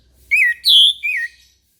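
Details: Morning song of an orange-headed thrush: three bright whistled notes in under a second and a half, the middle one longest and loudest, the last sliding downward, over a quiet background.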